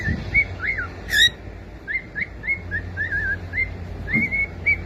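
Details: Quick whistled notes from a cockatiel, mostly short upslurs and downslurs with one wavering trill-like phrase, sung over a noticeable low hum.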